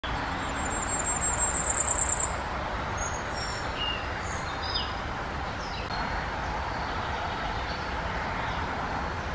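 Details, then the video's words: Common Firecrest (Regulus ignicapilla) gives a very high, thin, rapid run of needle-like notes that speeds up and ends abruptly, followed by scattered high calls, over a constant roar of traffic. "Králíček ohnivý, Common Firecrest, Sommergoldhähnchen, Vuurgoudhaan, Zniczek zwyczajny"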